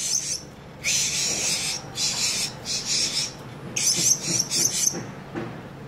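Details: Blue-crowned hanging parrot used as a lure bird to call other wild birds in, giving thin, very high, shrill notes in repeated short bursts, with a rasping, noisy quality between the sharp squeaks.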